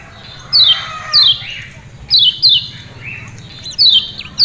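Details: Lemon-bellied white-eye from Lombok giving its ciak ciak calls: short, sharp, high chirps sliding steeply downward, delivered in pairs and singles about every second, with a faint echo and quiet low hum.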